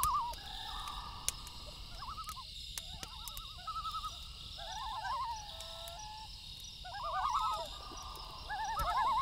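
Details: Several loons calling at night over one another in quavering, wavering notes that rise and fall, some drawn out into long wails, over the soft crackle of a campfire.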